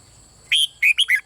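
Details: Red-whiskered bulbul, bulbul (เบิ้ล) style, used to stimulate singing in other birds: a single brief phrase of four clear whistled notes, the first held slightly longer, the last sliding downward.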